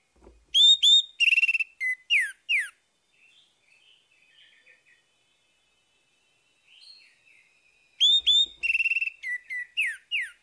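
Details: Orange-headed thrush singing in the morning, meant to restart a bird that has gone quiet: two bright phrases of strong whistles, buzzy trills and downslurred notes, with a long stretch of faint soft warbling between them.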